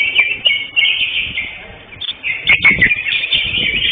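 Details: Greater green leafbird, caged, competing at a bird singing contest where it won first place; dense, rapid warbling and chattering phrases held high, continuous with brief dips, with scattered clicks and crowd noise in the background.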